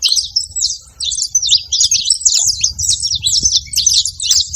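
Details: Saffron finch at a feeding spot: a busy run of sharp, high chirps and short twittering notes, closely spaced and overlapping almost without pause, with a faint low rumble beneath.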